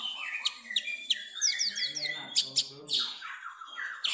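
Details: Long-tailed shrike performing in Jepara, its song filled with kapas tembak mimicry; a quick, varied run of high, thin whistles, slurred downstrokes and buzzy chatter, nearly continuous throughout.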